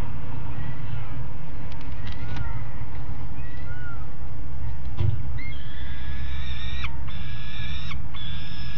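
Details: At Alphen aan de Rijn on 17 June 2016 at 13:30, a pair of young peregrine falcons on the ledge grating: scattered faint slurred notes, then drawn-out harmonic wails in the final seconds over continuous low-frequency noise.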